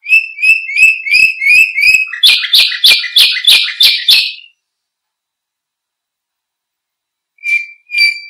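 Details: Canary song as a tutor for other birds: quick whistled repeated notes, then loud buzzy syllables about three per second, silence, and two more whistled notes.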